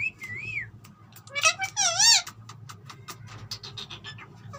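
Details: Talking green ringneck parrot: a wavy whistled phrase, then loud throbbing warbles and a run of fading clicks and squeaks over a low hum.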